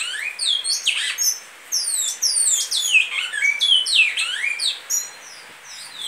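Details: Great-billed seed finch delivering Goiano liso song: a continuous stream of bright, rapid whistled notes, many falling steeply, some rising, in quick overlapping phrases with brief pauses.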